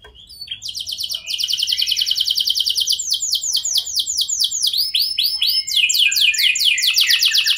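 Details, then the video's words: Canary song used as bait to get other canaries responding: a soft start building into continuous fast trills, with rising and falling looped notes and shifting rapid phrases, lively and unbroken. "99,99% Pasti Kenari Lain Langsung Respon Dengan Pancingan Kenari Gacor Lagu Istimewa Ini"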